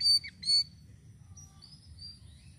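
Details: Sirisiri bird calling, used as a lure: two loud clear high whistled notes in quick succession, followed by faint drawn-out thin whistles and a constant low hum.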